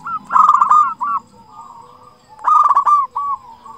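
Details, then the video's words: Loud-voiced local zebra dove singing to draw other zebra doves into song: two strong phrases of fast trilled coos, each running into a drawn-out mellow note, with quieter cooing from more doves in the gaps. "Perkutut lokal gacor suara besar cocok untuk pancingan burung perkutut supaya bunyi"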